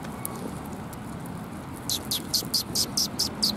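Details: Sparrows arriving for food at a Tenmangu shrine on 25 January 2021: after quiet low rumble, a rapid burst of about eight sharp, high chirps fills the final two seconds.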